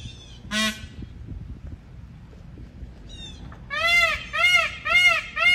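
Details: Peacock giving loud, nasal, honking calls. A single call opens the sequence, then a fainter pair follows. Four strong arching cries come in a quick series, about two a second, with a soft murmur of background noise.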